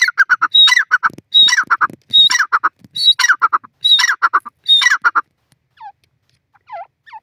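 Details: Grey francolin calling in forest: loud, harsh, ringing phrases of several rapid notes, repeated roughly every three-quarters of a second for about five seconds, followed by a few fainter, softer notes near the end.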